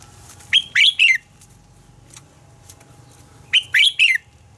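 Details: Red-whiskered bulbul morning song, described as a double-note style of a mature wild-forest bird and used to train other birds: two short bright phrases of three or four quick warbled notes, about three seconds apart, over a steady low hum.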